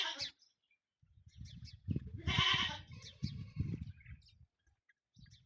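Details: Peacocks fighting: one loud harmonic wailing call rises above a stretch of low thumping and scuffling noises, with faint high chirps before and after.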